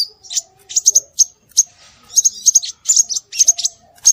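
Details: Scarlet minivet calls for luring birds: clusters of high, thin whistled notes, some doubled, given in quick irregular bursts with brief pauses.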